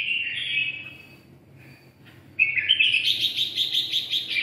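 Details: Red-whiskered bulbul, red-eyelid type, singing "siêu ché": a smooth warbled phrase, a pause, then a lively, fast, trilling chatter rising and falling steadily to the end.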